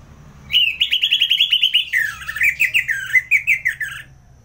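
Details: Orange-headed thrush singing in the ngeplong style: a rapid run of clear whistled notes near one pitch, then a lower, wavering series of rich warbled phrases, steady and loud throughout.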